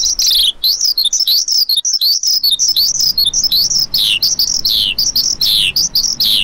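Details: Lark delivering an endless-sounding run of high, arching chirps, one after another at a brisk, slightly uneven rhythm, with a brief quieter moment early on.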